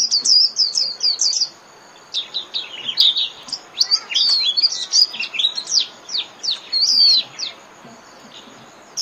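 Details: Japanese white-eye in líu song, intended for 30 minutes of daily playback to birds: quick high twittering phrases, varied and jumbled, broken by short silent gaps, with a faint background hiss.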